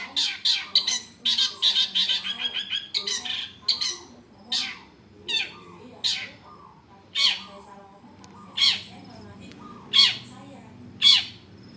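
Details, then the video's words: Long-tailed shrike voice used as a training model for other birds: a fast chattering series of harsh notes, slowing into single rasping calls spaced over a second apart. "masteran suara cendet"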